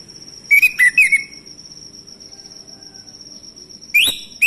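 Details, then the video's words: Lure recording of a singing male orange-headed thrush: a quick cluster of short whistled notes, a long pause filled by a steady high whine, then rising upslurred notes at the end. "ANIS MACET langsung bunyi Anis merah jantan"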